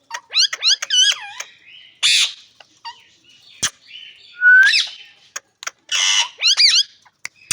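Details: Ring-necked parakeet, a green parrot, giving shrill screeching calls. Rapid chevron-shaped shrieks come in short bursts, mixed with harsh rasping squawks and one rising whistled note, with brief pauses between bursts.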